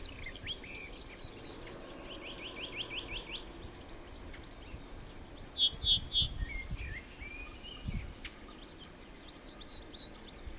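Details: Song of Cretzschmar's bunting: brief phrases of three or four clear notes, the last drawn out, repeated at intervals of several seconds; a rapid series of lower rising notes and other faint bird chirps between.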